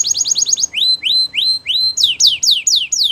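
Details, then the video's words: A canary sings to coax others into song. A rapid high rattle gives way to a series of upslurred whistles that level off, then sharp descending sweeps repeated about four times a second. "Canary Seducing Friends To Sing"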